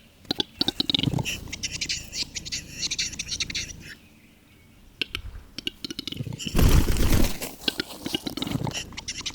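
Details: Western capercaillie (Tetrao urogallus) lekking, giving a run of dry, irregular clicks and low grunting sounds, with a loud rushing, scraping burst near the end.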